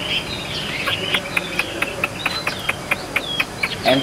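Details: A tame, caged Chinese hwamei sings very evenly and continuously, "like a machine": a fast, even run of sharp clipped notes, several each second, woven with bright high whistles, over a faint background murmur.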